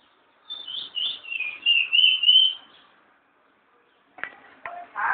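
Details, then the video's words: Curió, or chestnut-bellied seed finch, loose on a hand, delivering one sweet, high whistled phrase of about two and a half seconds with slight warbles. After a silence come handling knocks and a short noisy rustle. "Curió solto na mão"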